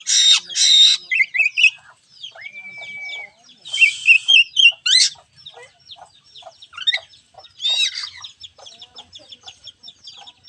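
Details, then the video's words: Oriental magpie-robin (kacer) song used as a lure to prompt a reluctant bird to sing: rapid varied phrases of sweet clear whistles, a long flat whistle, and harsh buzzy rasping bursts, delivered in quick succession with short pauses. "Pancingan kacer malas bunyi"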